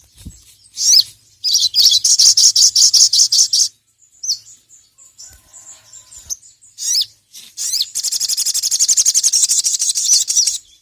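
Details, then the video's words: Ruby-cheeked sunbird calling a rival on a recording used to train other birds: long fast trills of very high buzzy pulses, broken by sharp rising squeaks and scattered chips. "SOGON GACOR NGERIWIK LANGSUNG BONGKAR EMOSI dengar masteran burung sogon gacor memanggil lawan ini"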